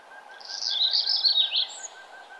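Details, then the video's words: Sunrise birdsong on a morning nature trail: one bright, high, rapidly twittering phrase of about a second rises out of a soft steady hum. "Nature trail with birds singing and the sun arising"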